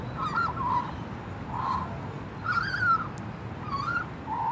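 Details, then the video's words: Juvenile female magpie, said to be very happy, giving a thank-you song of mellow gurgled and whistled phrases with short pauses between them, over a low background hum. "Magpie Sings a Thank You Song"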